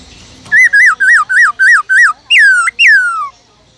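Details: A caged Black-throated laughingthrush sings six even, wavy whistled notes in quick succession, then two long slurs sweeping down from high to low. Its wild-style singing serves to stimulate other laughingthrushes.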